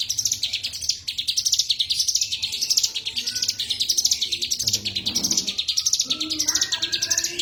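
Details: A cigun singing actively, giving quick repeated high chirps in undulating phrases. A short low noise and a few lower tones appear toward the end.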